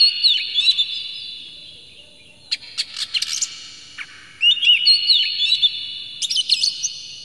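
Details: Oriental magpie-robin with tail spread, singing an aggressive lure song packed with rough material to trigger other magpie-robins: high twisting whistles and sharp ticks in spaced bursts, separated by short pauses.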